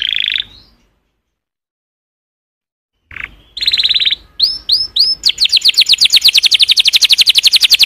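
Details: Canary singing in bursts: a short buzzy trill, three seconds of silence, then another trill, a few curved whistles and an accelerating, very rapid rolling trill; light background hiss.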